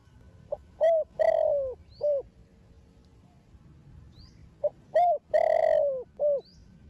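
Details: Spotted dove, a young Thổ Đồng-style singer of Thổ Sấm lineage, calling to spur other doves into cooing: a pair of mellow phrases, each with a brief lead note, a rising hoot, a drawn-out descending coo and a short closing note.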